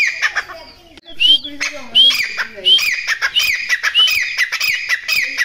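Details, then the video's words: Grey partridge, known locally as titar, giving its hunting call: quick rising whistles repeated roughly every second, mixed with harsh rattling chatter; a low voice-like sound briefly underneath near the start. "Shekare Titar ki Shekar ki awaz"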